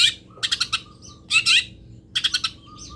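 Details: Long-tailed shrike, local bird linked to Pati, in a tutoring recording of fill-in song material: three bursts of harsh, buzzy chattering notes, each a quick group of three or four, separated by short pauses.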